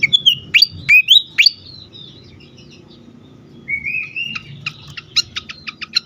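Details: Agitated fantail for luring and stimulating birds: three loud downward-swooping whistles, a quiet gap, a long rising whistle, then a quick series of high clipped chirps.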